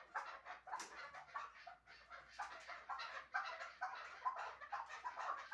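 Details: Shahritus hunting chukar partridge giving irregular bursts of raspy clucks, some louder than others, amid background noise.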